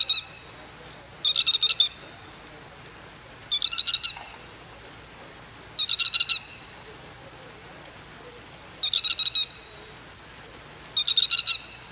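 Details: Grey-headed lapwing with chicks in the rain, giving five loud bursts of rapid, harsh, high notes, each burst about half a second long, repeated every two to three seconds over a quiet background.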